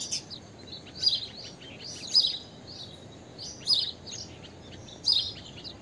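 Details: Blue-tailed bee-eater (Merops philippinus): short, high, rolling trilled chirps repeated about once a second, some paired, with faint softer notes between over a low hiss.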